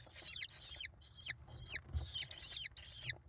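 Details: American kestrel chicks, five in the nest, begging loudly as their mother feeds them, live camera, 28 May 2021; drawn-out shrill whining squeals ending in downward hooks, several overlapping.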